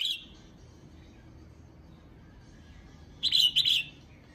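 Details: Female red-whiskered bulbul, a cage bird, calling to excite males: a clipped note at the start, a long quiet stretch, then a quick two-part warbling phrase near the end, over low background noise.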